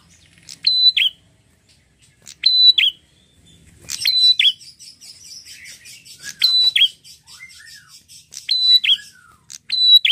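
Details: Vigorous song of a red-headed prinia: sharp piercing two-part phrases repeated roughly every two seconds over a fast, dry, buzzy rattling chatter that fills the middle of the recording.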